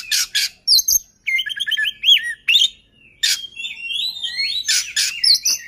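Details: Rich oriental magpie-robin song aimed at triggering singing in other magpie-robins: loud rasping bursts alternate with sweet falling whistles and warbled trills, the phrases tumbling on with brief gaps.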